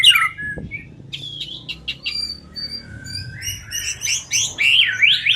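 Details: Trapping lure of a white-rumped shama singing: high thin whistled notes and chirps, scattered at first, then a quick run of sharp rising phrases, with a faint low hum beneath.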